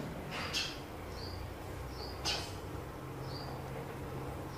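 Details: Sparrows fighting each other over a new nest box: short high chirps, several thin and slightly rising, scattered between loud broadband scuffling or wing-flapping bursts, over a steady low background hum.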